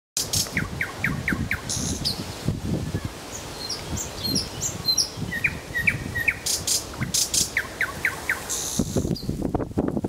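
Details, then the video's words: Nightingale singing in Kuzminsky forest park: bursts of quickly repeated short notes, thin high whistles and scattered clicks, delivered in separate phrases over a steady low rumble of background noise. "Голос соловья"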